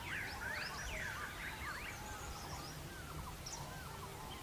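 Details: A yellow-footed green pigeon (Treron phoenicoptera) in Himalayan pine forest in Kumaon, Uttarakhand, gives a run of mellow, warbling whistles sweeping up and down, with fainter bird notes above and a steady low background rumble.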